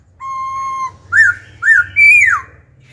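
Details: Wild-caught adult laughingthrush in wild-style song with constant voice switching, used to stimulate singing and train young birds: a long level whistle followed by three loud rising-then-falling slurred whistles over a low background hum.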